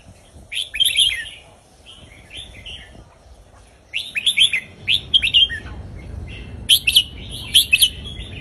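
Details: Caged Indonesian red-whiskered bulbul singing a southern Thai folk-style song, used to teach young birds and excite listening birds: bursts of bright, warbled, slurred whistles in quick runs, a pause, then a lively, choppy series of short notes.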